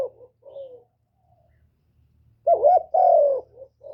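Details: Kept decoy spotted dove calling, gáy gọi, thúc and gù styles used to rouse other captive doves: soft low cooing notes, then a loud paired burst of two throaty rising-falling coos and a short trailing note.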